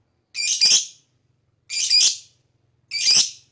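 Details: Lovebird giving long chirping calls said to provoke the emotions of other birds: three harsh, high, buzzy chirps, each about half a second long, spaced over a second apart, with a faint low hum beneath.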